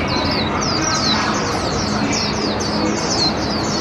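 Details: A hand-raised warbling white-eye, 1 year 8 months old, on its first park outing in 2021, sings a steady run of high, thin, twittering notes, several per second, over loud noise from a nearby outdoor puppet-theatre show.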